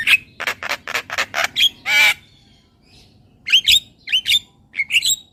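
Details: Javan myna song: a quick series of loud, harsh rasping notes ending in a long grating squawk, silence, then several sharp, squeaky whistled chirps.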